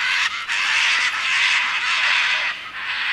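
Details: Scarlet macaw (Ara macao) flight call: harsh, raspy screams, a long grating squawk broken by brief pauses near half a second and two and a half seconds; finding: Scarlet macaw.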